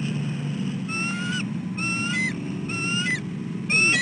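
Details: Female bald eagle calling from the nest as her mate feeds nearby: four fainter high whistled notes, each thin and slightly rising, spaced about a second apart over constant low rumbling noise.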